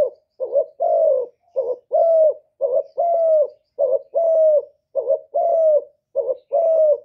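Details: Cà Mau spotted dove decoy bird cooing to draw in wild doves: repeated two-part phrases, a quick quavering note and a longer mellow falling coo, about seven pairs at a steady pace.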